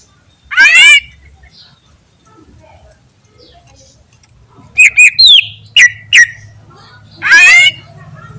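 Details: Greater green leafbird in energetic full song, used to make other birds answer at once: loud, ringing whistled phrases that sweep up and down, a cluster of quick sharp notes, then another rich rising warble, with long silences between.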